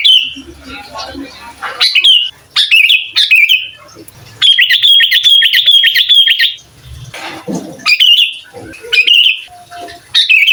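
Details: Lively sooty-headed bulbul song used to rile other bulbuls and tutor young birds; bubbly whistled phrases, including a long sustained warbling trill of about two seconds, then short repeated slurred bursts.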